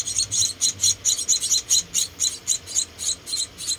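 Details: Feeding time for four rescued baby munias: bright, thin, high chirps pulse about twice a second throughout, evenly loud, with no other sounds.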